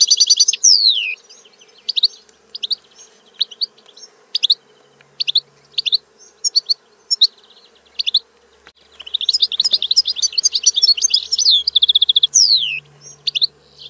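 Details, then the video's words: European goldfinch singing in scattered bursts: short sharp chirps and a descending slurred note, pauses between notes, then a dense tinkling twittering run near the end with another falling note; faint background hum. "Canto del Cardellino - Song of the goldfinch"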